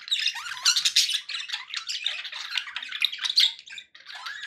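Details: Budgerigars kept as pets chattering busily, a steady flow of harsh squawks, clicks and squeaky warbled notes with little pause, faint background noise behind.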